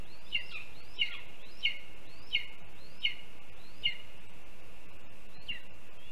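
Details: Begging lesser spotted eagle chick at a nest in Latvia on a live camera, 7 July 2022, waiting for its mother to feed it a mole the father delivered; thin high piping calls roughly every half second to second, then a pause, with background hiss.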